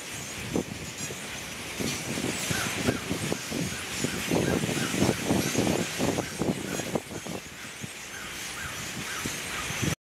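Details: Thousands of boat-tailed grackles in Queens, New York, in mid-January 2017, fill the air with harsh, overlapping clacks and squawks, several every second, over a low rumble of city traffic.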